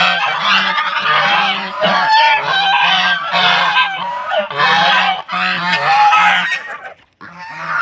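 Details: Domestic goose from Netrokona, kept in Tangail, Bangladesh, at egg-laying time, coming to peck a person. Loud, harsh, nasal honks repeat in quick rough bursts almost without a break, then taper off into a short quiet gap near the end.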